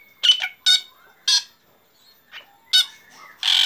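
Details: Black drongo in morning song, giving loud harsh nasal squawks in pairs and singles, with faint whistled notes in the pauses.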